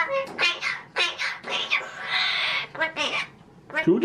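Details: A pet magpie imitates human speech in a run of short, raspy, word-like syllables with harsh, buzzy overtones and brief pauses, talking in a cheeky mood.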